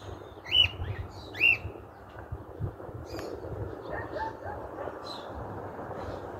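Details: Cockatiel at liberty on a rooftop, likely an escaped bird, in 2023; two clear rising whistled calls in the first second and a half, then quieter faint chirps and background hum.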